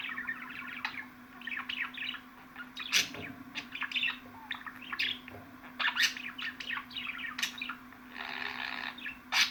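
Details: Budgerigar warbling runs throughout as dense chirps, clicks and squeaks, ending in a buzzy grating phrase, with a low hum in the background.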